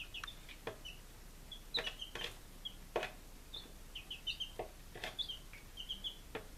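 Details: Chicks five days old, Lunenburg, Massachusetts, July 2017: bursts of thin, high cheeps in quick clusters, with several sharp clicks and scratching taps from their feet or from objects around them.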